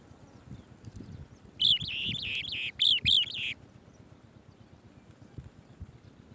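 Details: Swallow-tailed bee-eater delivering bees to chicks: a fast series of loud rolling chirps, about two seconds long with a brief gap near the middle, then quiet.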